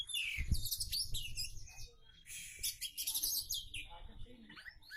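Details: Varied, mimic-filled singing from an Oriental magpie-robin: loud harsh chattering bursts, high sweeping whistles and quick trills, broken by short pauses, over low rumbling and knocking noises.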